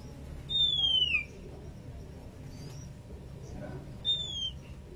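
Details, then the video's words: Breeding-condition female Oriental magpie-robin calling its companion, giving two separate sharp downslurred whistles about three and a half seconds apart over a low background hum. "burung Kacer betina gacor birahi memanggil temannya"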